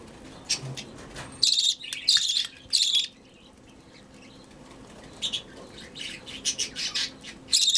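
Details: Budgerigar chick being hand-fed: three loud scratchy begging squawks in quick succession, a pause, then a run of softer, rapid raspy calls building again.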